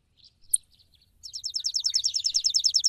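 A sparrow gives a few scattered high chirps, then a fast run of about a dozen bright, buzzy notes repeated roughly five times a second.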